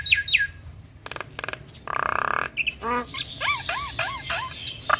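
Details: Female Javan myna, a caged songbird in good condition, giving a jumble of buzzy rattles, a harsh rasping burst, a rising squeal and repeated arched whistled notes.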